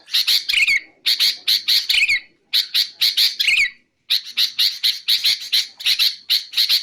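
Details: Sooty-headed bulbul used for luring and training birds: three bursts of quick scratchy chatter, each ending in a slurred falling whistle, split by short silences.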